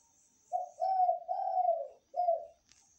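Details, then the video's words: Spotted dove calling vigorously through the night: one low, hoarse cooing phrase of three joined notes and a short detached final coo, with a faint steady high buzz behind it. "Derkukur gacor sepanjang malam hari"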